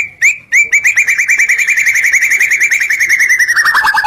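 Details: White-rumped shama (murai batu) song: one rising whistled note, a short pause, then a long rapid chain of crisp upslurred notes that slows and drops lower toward the end; a clean recording with no background noise.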